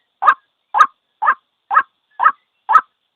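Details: Single calls of the white-breasted waterhen, used for trapping. Six rough, nasal notes follow each other about every half second in otherwise quiet surroundings.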